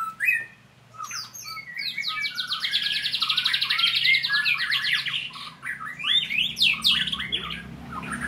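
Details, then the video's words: Training white-rumped shama in full song. A short whistle opens, then a long fast rattling trill and a run of sharp upslurred and downslurred whistles, continuous and energetic, with a faint low hum behind. "murai latihan gacorr"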